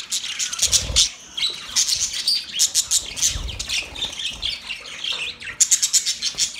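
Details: Budgerigars while mating: fast, rhythmic chirp bursts and squeaky warbles, with a couple of low thuds and a loud run of chirps at the end.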